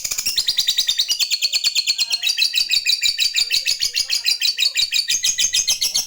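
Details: Lovebird in top singing form giving a long ngekek to call a rival: a fast, unbroken chatter of high, shrill notes, about three per second, sliding slightly down in pitch and then holding steady for the whole stretch.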